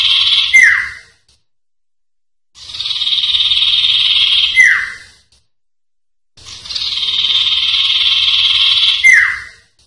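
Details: Common iora (cipoh), sertu-style song from a master recording for training songbirds. Three long buzzy rasping notes come about four seconds apart, each ending in a sharp falling whistle-like flick, with silence between them.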